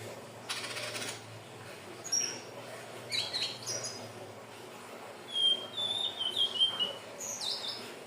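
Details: Hill blue flycatcher song for luring birds: high twittering notes, then a series of clear, slightly falling whistles toward the end, with a few clicks earlier on.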